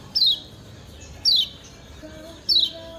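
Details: A Lemon-bellied White-eye (Lombok) gives three sharp, high, downward-sliding chirps about a second apart against a quiet background. The recording is used as a master song to train other white-eyes to sing.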